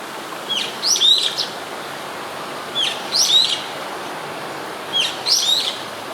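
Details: Nearby brown-eared bulbul in Sumida ward, Tokyo, Japan, 21 May 2017, recorded with a built-in camera microphone; loud shrill phrases of a short upslurred note followed by two screechy swooping squeals, repeated about every two seconds over faint hiss.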